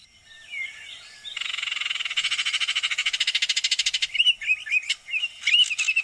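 Baltimore oriole giving a dry, rapid rattling chatter of about three seconds, framed by short clear whistled notes before and after.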